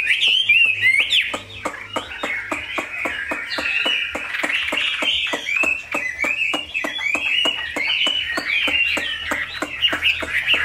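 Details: Chinese hwamei kept as a cage bird in Vietnam pouring out a long, fast, jumbled series of whistled and chattering notes over a steady barrage of sharp ticking knocks.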